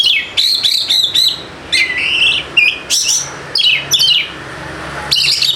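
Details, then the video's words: Lure song of a White-rumped shama meant to set reluctant birds singing: varied loud phrases of sharp chips, whistled slurs and rapid trills, delivered in short bursts with brief pauses, over a low steady hum. "PANCINGAN AMPUH UNTUK PIKAT KACER YANG MALAS BUNYI SEKETIKA GACOR"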